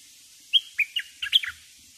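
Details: Bulbul used as a decoy bird to lure wild birds, singing a short phrase of five or six bright whistled notes, each dropping slightly in pitch, in quick succession over a quiet background.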